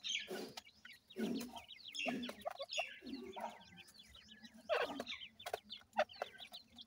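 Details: Young francolins feeding on termites: high, quick descending cheeps repeated in small clusters, mixed with louder rustling and tapping noises of the birds at the food.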